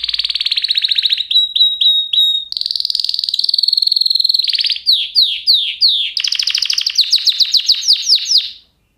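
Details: Canary singing in varied phrases: rapid buzzy trills, a run of short whistled notes, a sustained rolling trill, then repeated downward-sweeping chirps and a fast stuttering trill.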